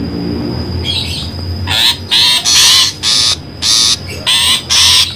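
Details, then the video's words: Trapping lure of the long-tailed shrike. After a faint rasp, a rapid run of about seven grating, noisy squawks follows in quick succession, with a steady high tone behind them. "suara pikat burung pentet"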